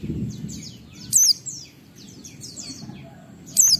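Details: Oriental white-eye in ngalas song, 12345-beat style, meant to coax other white-eyes into song. Two shrill high falling notes two and a half seconds apart over faint twitters and low rumble.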